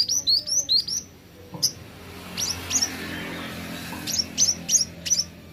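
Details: Plain flowerpecker, locally called kolibri ninja: rapid series of very high, thin, sharp ticking notes, several in quick succession, then isolated high ticks and another fast burst after a quieter gap.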